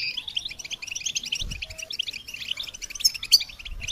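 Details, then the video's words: Goldfinch song for stimulating and training songbirds, continuous quick high twittering with scattered thin whistles and a few brief bright notes toward the end. "integrated stimulation suitable for all songbirds for goldfinches"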